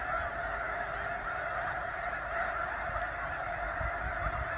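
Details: A huge snow goose flock at the Headquarters unit of McNary National Wildlife Refuge, Washington: thousands of yelping, honking calls pile up into a constant, even chorus, with faint low rumbling beneath.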